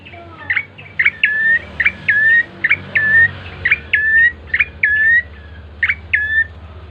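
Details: Lure recording of a bar-winged prinia singing to make birds call quickly: a steady series of phrases, each a short falling chip and an even, piercing whistle, over a constant low hum.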